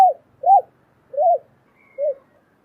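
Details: A female spotted dove coos to rouse a male: four soft arched notes about half a second apart, the last one quieter, with a faint thin whistle in the background.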